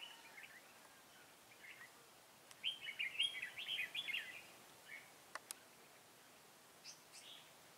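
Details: Decoy red-whiskered bulbul set out for trapping wild birds, 23 August 2018: soft scattered notes, then a lively two-second burst of rapid warbling whistles, followed by isolated chirps and two sharp clicks.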